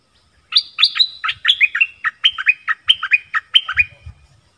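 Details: Nok dok taeng decoy bird in a double-song ('pleng berb') duel with wild birds, which came twice: a loud, quick series of about a dozen bright whistled notes, each swooping and dropping, mostly clean with faint low thumps.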